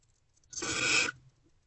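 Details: One long grating hiss-screech of just over half a second from a barn owl inside a nest box at night, while food deliveries continue on 28 February 2024, around 2:15–2:33 am.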